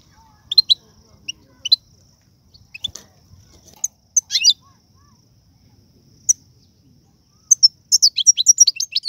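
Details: Algerian European goldfinch in captivity, its song valued for teaching young birds the serfati, tiwawati and galoubi styles: scattered sharp high chirps spaced apart, ending in a quick run of bright twittering notes.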